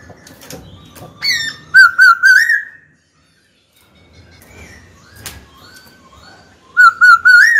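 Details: Trained pet black-throated laughingthrush singing to call a rival into a fight: sharp chips followed by a sustained wavering whistled trill, a pause, then the warbling phrase again.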